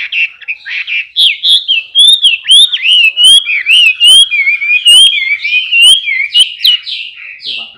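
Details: Chinese hwamei male in full song: loud, varied whistled phrases with rising and falling slurs, punctuated by sharp high clicks roughly every second, the song running steadily without a break.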